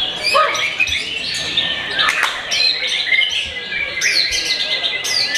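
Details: Song of a young Oriental magpie-robin passing time before the Ramadan fast-breaking, not yet a champion: dense, high, sharp chirps and buzzy trills packed closely together without pause.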